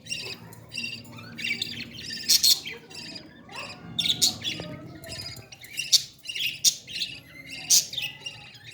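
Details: Young parrot begging while being hand-fed, a stream of raspy chattering chirps rising and falling in bursts, with several sharp loud squawks standing out and a faint low hum underneath.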